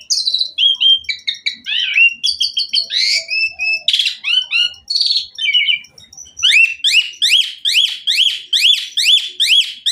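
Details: Asian pied myna in full, rich song: a jumble of varied squeaks, chirps and whistled slurs, then a fast series of sharp, rising whistled notes repeated about three times a second.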